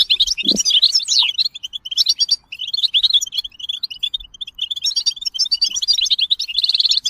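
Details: European goldfinch performing bitbita song: an unbroken, rapid medley of liquid twitters and sharp chirps, ending in a brief buzzy trill.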